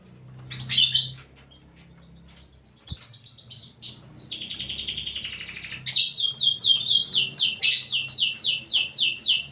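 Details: Canary (kenari) singing a lively song with unique cengkok phrasing: a sharp chirp, then a long rattling trill, followed by a fast series of rhythmic descending whistled notes repeated about twice a second.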